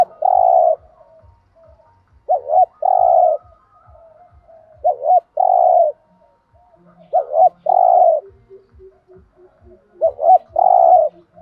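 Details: Thúc gù cooing of a spotted dove, used to prompt captive doves to call: five phrases spaced roughly every two and a half seconds, each a brief bent note then a sustained low coo, over soft rhythmic low clicks.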